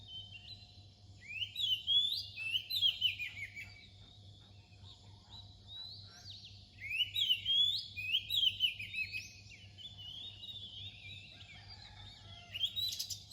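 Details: Dawn-time Oriental magpie-robin song: two strong bouts of fluid, varied whistles with slurred rising and falling notes, separated by a quiet gap of several seconds, over a low background hum.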